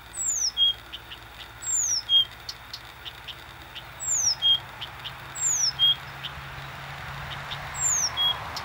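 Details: Blyth's reed warbler singing in Warmia on 10 June 2020: high, clear whistles slide steeply downward, each followed by a short lower note, the phrase repeated about every one and a half seconds over faint background hiss.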